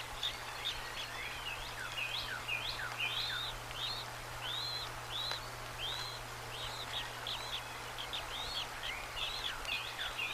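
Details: Bald eagle eaglets, one just over a day old and one newly hatched, being fed bits of trout by the female at the nest on March 25, 2024; a steady string of thin, high, downslurred cheeps, faint against a constant low hum.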